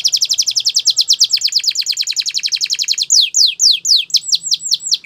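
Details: Gloster canary in song: a long fast series of descending whistled notes, slowing into broader sweeping slurs near the end.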